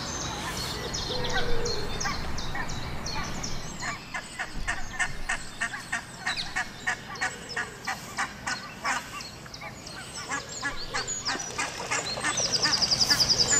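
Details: Barnacle goose family with six goslings in Heemskerk, the Netherlands, giving rapid, evenly spaced sharp yelping notes, about three a second for several seconds, then quieter, with thin high twittering near the end.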